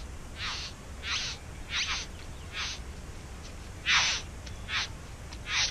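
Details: Harsh, scratchy calls from a bowerbird nesting in a backyard: about eight rasping bursts in uneven succession, a few louder than the rest, with faint clicks between them and a low steady hum underneath.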